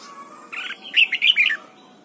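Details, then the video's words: Morning training song of a red-whiskered bulbul pushed toward a double-note wild-style delivery: a buzzy lead-in followed by three loud warbled whistles within about one second, against faint room hum. "Luyện giọng chào mào hót sáng, ép chào mào hót âm kép già rừng hay tuyệt!"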